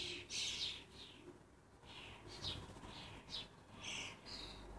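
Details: Lancashire starling fledglings, excitable and clumsy around their parents: harsh, hissing squawks in quick irregular bursts, some with brief whistled tones, over steady low background noise.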